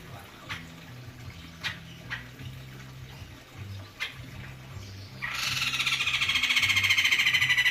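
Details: Several faint clicks and taps precede a caged white-crested laughingthrush breaking into a loud, throaty, rhythmically pulsed laughing chatter for the last two and a half seconds.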